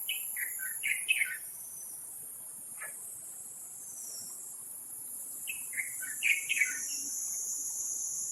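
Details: Taiwan Blue Magpie raising young, Taipei Zoo wild birds, 7 May 2022, 11:43, giving harsh, squeaky chattering notes in two quick bursts of four to six, a lone note between, over a steady high insect drone.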